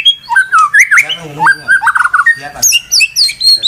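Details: Murai batu, the white-rumped shama, singing after being provoked, said not to stop: rich whistled phrases dropping and rising, buzzy rattled segments, then high sharp chirps near the end.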